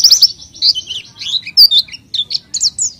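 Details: Oriental white-eye song used as a lure: bursts of high, thin chirps and twittering notes in quick clusters, with short gaps between phrases.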